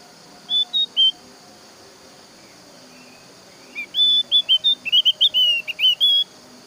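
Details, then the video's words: Javan grey-throated white-eye song used to lure other white-eyes into singing: two short high whistled notes, a pause, then a rapid run of thin clear whistles and slurred chirps near the top of the range. "KICAUAN BURUNG OPIOR JAWA MEMANCING BURUNG YANG LAIN AGAR IKUT BERBUNYI"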